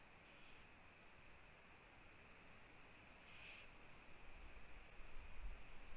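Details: Live camera at a Eurasian eagle-owl nest in Latvia, 1 June 2017, 15:01, with the female visiting her owlets. Two hoarse hisses come three seconds apart, the second louder, then low rumbling handling noise rises at the end.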